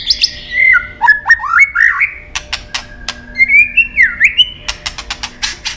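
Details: White-rumped shama in competition-style singing, tail flicking: clear whistled phrases sliding between high and mid pitch, looping rising and falling notes, interspersed with sharp clicking tacks and short chips.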